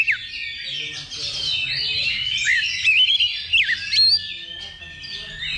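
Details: Kacer, or Oriental magpie-robin, singing during a simulated level-two songbird contest for pre-competition training; dense layered twittering with rising whistled slurs and a long steady whistle near the end, several birds audible at once.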